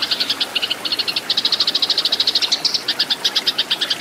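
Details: Eurasian tree sparrow fighting chatter meant as a training recording for cage birds: fast, clear, metallic chirps in uneven bursts, some doubled, loud throughout.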